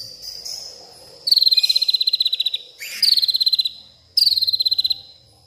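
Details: Nighttime white-rumped shama, agitated, delivering mimicked sounds from around the garden: three separate rapid, insect-like trills, each a quick run of high sharp notes slightly falling in pitch, with short gaps between.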